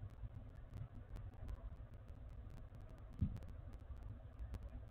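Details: Quiet low traffic hum with scattered faint clicks and a brief thump, no animal calls.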